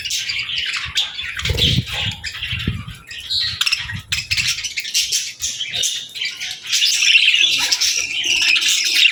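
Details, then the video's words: Baby budgerigars and lovebirds feeding and interacting; irregular fast chirps and squawks mixed with soft pattering and fluttering sounds, growing into a loud continuous twitter toward the end. "Love Birds & Budgies Feeding Time Sounds"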